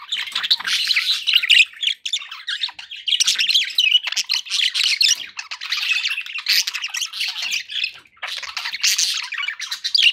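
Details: Happy budgerigars chatter nonstop, a steady stream of scratchy chirps and warbled squawks with one brief dip near the end.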